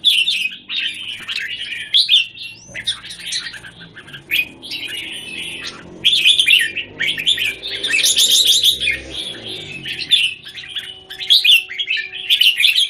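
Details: Caged red-whiskered bulbuls in Singapore, 17 January 2019, one bird matched against others; repeated warbling phrases over a low background rumble, with a louder, denser chorus of chirps in the middle.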